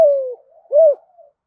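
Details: Short fragment of spotted dove cooing for luring: the tail of a long coo gliding downward, then a single arched mellow coo fading into soft notes.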